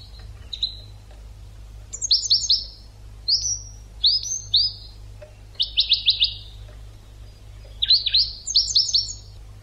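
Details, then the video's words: European goldfinch educational song for training birds: scattered chirps building into clusters of rapid, bright, descending notes, including fast triple trills and a busy twittering burst near the end, with a steady low hum behind. "CD ekpedeutiko.karderina (educational goldfinch)"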